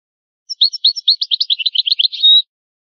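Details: European goldfinch from a rare tape of ancient song in the original goldfinch language: a single phrase of spaced chirps that speeds into a rapid twitter and finishes with a sustained, level whistled note. Nothing else is audible.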